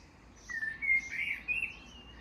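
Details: A noisy Common blackbird in a wildlife garden in England in June, near a tree of heaven, gives a brief, mellow fluted phrase of clear whistled notes, sliding and warbling at mid-high pitch; quiet background.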